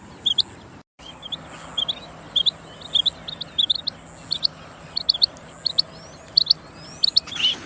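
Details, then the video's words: Rain quail, clear call series: rapid high doubled notes repeated many times in quick succession, with a faint steady whine behind. "Chinga batair ki saf awaz چنگا بٹیر کی صاف اواز"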